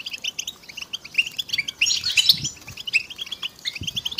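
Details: Several European goldfinches twittering in rapid high chirps, with a busier, denser trill near the middle. These are mating calls used to stimulate silent males into song. A few faint low thumps sit underneath.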